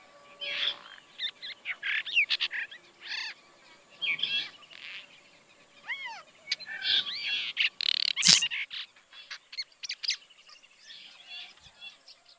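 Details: Brahminy starling in Kaohsiung, Taiwan, recorded 16 June 2020. A lively, varied sequence of looping whistles, rising and falling slurred notes, harsh chatters and sharp clicks, delivered in quick irregular phrases throughout, with one loud sharp snap midway.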